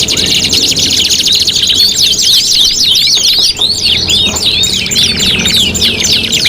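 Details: Tutoring song for contest canaries: high, dense trills moving into looping, zigzagging chirp phrases and then quicker rolling notes, sung without pause.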